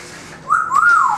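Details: Pet African grey parrot indoors imitating a fire engine siren: one clear whistled note rising, holding, then sliding down, loud against a quiet room.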